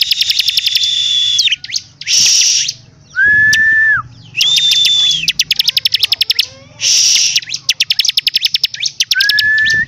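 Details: Energetic song of a bar-winged prinia: dense buzzy trills, quick ticking note series and drawn-out flat whistles at two pitches, phrases separated by brief gaps.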